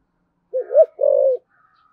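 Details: Thổ sấm spotted dove giving a gáy gọi call: a low, hollow, wobbling coo followed by a sustained, faintly rough note that slowly falls, with a faint high tone trailing at the end.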